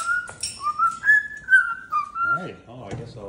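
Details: Pet cockatoo indoors at sunset: a run of clear whistled tones stepping up and down and gliding between pitches, followed by rougher voice-like sounds, in a small quiet room.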